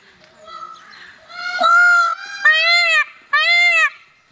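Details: A male blue Indian peafowl displaying to a peahen gives three loud, nasal, harmonic wails, each under a second, slightly arched in pitch and coming in quick succession after a softer lead-in; screams and mating calls before his dance.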